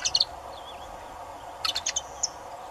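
A saffron finch gives two bursts of sharp, high chips with a faint slurred whistle between them, over a steady background hiss.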